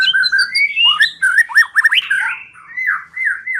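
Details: White-rumped shama singing, used as a lure recording to make the bird sing: rich fluty whistles mixed with fast looping twisting notes and harsh squawk-like elements, continuous and varied.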